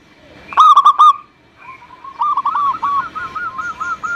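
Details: Zebra dove song used to coax reluctant doves into singing: three loud, sharp coo notes, a pause, then a longer, quieter run of rolling, evenly spaced notes.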